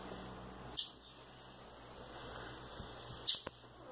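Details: Rufous-bellied thrush youngsters, a female and a male, roaming a house: thin whistled notes followed by sharp, very high squeaks, two bouts within four seconds, over low indoor hum.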